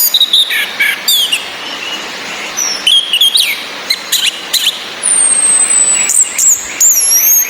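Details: A female orange-headed thrush's ngecis, meant to excite mating urge in males: scattered sharp chirps and short trills, then thin, very high wavering whistles near the end, over steady falling rain.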